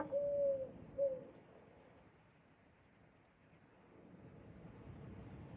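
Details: Eurasian collared dove giving a soft, low coo: one long level note then a short clipped note, followed by several seconds of faint background hum.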